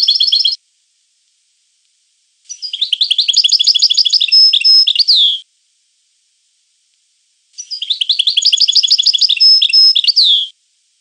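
European goldfinch singing bright, tinkling twittered phrases of about three seconds, rapid liquid notes mixed with buzzy trills, separated by silent pauses.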